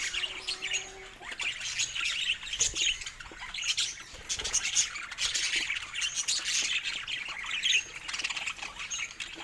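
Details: Pet budgerigars sounding happy, a dense chorus of many birds chirping at once: busy high-pitched twittering and scratchy squawks running without pause, with scattered clicks throughout.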